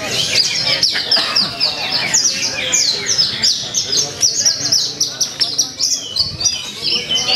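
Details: Javan bush lark singing at a songbird contest in Purwakarta on 2 February 2020: rapid, dense high chirps and down-slurred whistled notes, repeated in quick succession, with other contest birds and faint voices behind.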